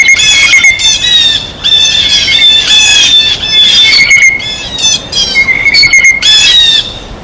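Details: Blue jays eating at their feeder give harsh, buzzy screeching calls in rapid bursts, with short pauses between. A thin, steady whistling tone runs underneath throughout.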